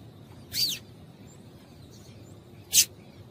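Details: A female double-collared seedeater gives a short downward-slurred high call, then a crisp high chip two seconds later, a call used to make a male sing eagerly; soft steady background hiss.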